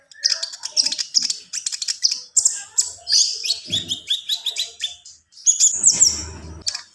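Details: Full song of a Javan pied starling, busy mix of high whistles, harsher chatter and lower buzzy notes, with faint low thumps in the background.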